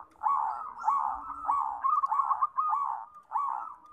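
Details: Energetic zebra dove song. Mellow, bubbling coos are run together into rapid staccato trills, with short phrases repeating roughly every half second. Soft lower cooing sounds underneath.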